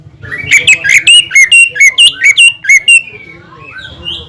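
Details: Greater green leafbird singing to provoke other leafbirds: about ten loud, evenly spaced whistled notes in quick succession, then fading softer warbled notes over a low background hum.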